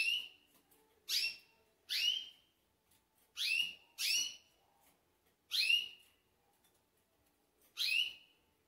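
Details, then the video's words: Pintagol, green form, calling before sleeping, filmed close: seven short whistled chips with buzzy high overtones, each falling then flattening, given about one per second in an uneven series over near silence. "GRAVANDO PINTAGOL ANTES DELES DORMIR"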